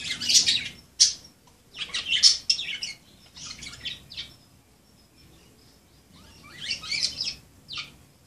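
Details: Budgerigars at play chatter in dense, scratchy, high warbling bursts, several notes run together, then a quiet pause before another noisy flurry near the end.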